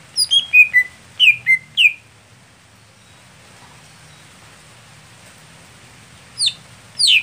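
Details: Contest-kept Greater green leafbird, described as late to start performing at competitions, gives a quick run of sharp descending whistles, then falls silent for several seconds before two more downward-slurred whistles; soft low background hum.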